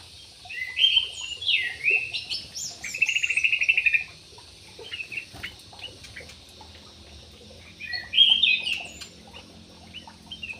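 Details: Parakeets in an aviary, harsh squeaky squawks and a buzzy grating phrase over the first four seconds, then quiet, then another loud screechy burst near the end.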